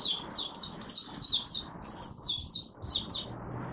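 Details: Oriental white-eye buka sing (opening song), Singapore, 23 March 2023, humid, warm, rainy and overcast: a continuous string of high, quick, down-slurred chirps, about a dozen in under four seconds, with faint low rumble.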